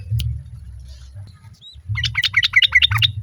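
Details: Female sooty-headed bulbul calling for the male as other birds answer: after a quiet start, a fast burst of about ten bright, chattering notes, with low rumbling noise underneath.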